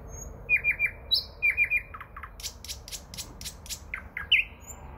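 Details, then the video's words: Common nightingale singing near Moscow in early May: clear whistled notes in groups of three, rapid clicking strokes, and sharp rising and falling phrases over a steady background hum. "Пение Соловья. Подмосковье, начало мая."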